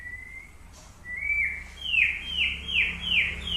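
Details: White-rumped shama in training, singing a clear whistled phrase: a long flat note, then a rising note, then a run of four or five bright notes that dip downward, repeated about every half second, over a low background hum.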